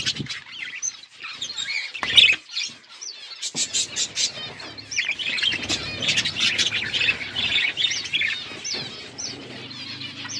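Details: Budgies in a flock while eating, continuous overlapping warbling chatter with twittering notes and quick clicks, a sharp burst near the start, then steady dense chirping.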